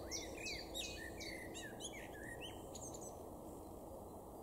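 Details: Male Common Blackbird singing in a garden in Weener, East Frisia, far northwestern Germany, in May 2022. A rich run of fluted, warbled phrases, swooping notes and high twittery flourishes, over a steady rushing background hiss.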